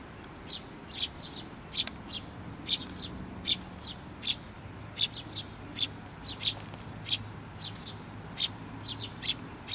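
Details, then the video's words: Bird chick calling from a post at a Tenmangu shrine on 16 May 2023 as its parent returns; persistent shrill chirps, roughly one or two each second for ten seconds, fairly uneven in spacing, over faint low hum. "支柱の上で鳴いてた雛鳥 親鳥が戻って来た"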